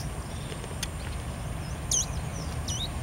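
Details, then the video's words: A Buffy hummingbird (Leucippus fallax) at Puerto La Cruz on 23 March 2016 gives two very high, thin, squeaky looping notes under a second apart, over a steady low rumble of wind or distant traffic. "Colibri Anteado - Canto"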